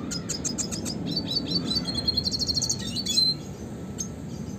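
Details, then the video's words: Rolling red siskin song of the classic kind used to train songbirds: a quick series of evenly repeated high notes leads into a buzzy rattling trill, then a few sharp chips over faint low hum. "kicauan suara burung red siskin klasik gacor untuk pancingan dan masteran burung berkicau"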